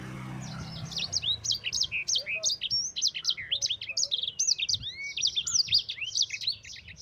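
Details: Rolling 'ngerol' song of a yellow-fronted canary, used to tutor other songbirds: a dense, unbroken stream of high sweet chirps, trills and down-slurred whistles lasting the whole stretch.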